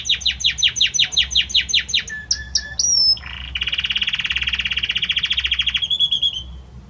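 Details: Male Belgian canary singing for the female, opening with a fast series of descending whistled notes, then short chips and a sliding whistle, followed by a long, dense rolling trill that ends in a clear held note.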